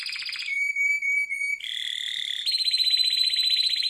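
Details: Harz Roller canary training song: a buzzy trill, a long pure whistled note, then two rolling trills, each one higher than the last.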